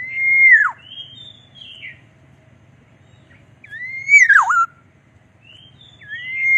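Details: Black-naped oriole, a golden-yellow bird with a pink bill and black eye band, giving fluid, mellow whistled phrases. Each phrase slides down steeply, then swoops back up, repeated about every two seconds with softer whistles between.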